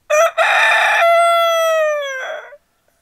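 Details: One loud rooster crow for waking up: a short clipped first note, a harsh buzzy middle, then a clear drawn-out tone sliding slowly downward for over a second before ending abruptly.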